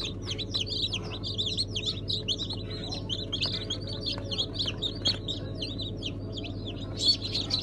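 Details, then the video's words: Newly hatched Brahma chicken chicks, hatched 01.09.2019 together with Sultan, İspenç and Americuana chicks, give a dense chorus of high, quick, overlapping peeps and chirps over a steady low hum. "Sultan,Brahma,İspenç,Americuana Civcivler"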